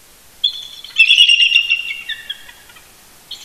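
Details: Eagle couple calling to one another early on a November 2018 Sunday morning near their nest at Big Bear Lake, California; one shrill, squealing chittering phrase swells then trails off with descending notes.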